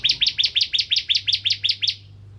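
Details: Bar-winged prinia, crystal type, used as a singing lure: a single run of about twelve sharp, doubled chip notes, quick and regular, ending abruptly into a faint hum.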